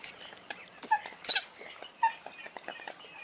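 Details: Eurasian coot calls: scattered squeaky yelps and sliding whistly notes, one loud burst near the middle, with softer overlapping voices of other birds nearby.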